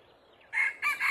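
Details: Male red junglefowl crowing from a tree during wild chicken trapping, two hens later arriving. Silence for half a second, then a loud, harsh, broken crow in three bursts, cut off at the end.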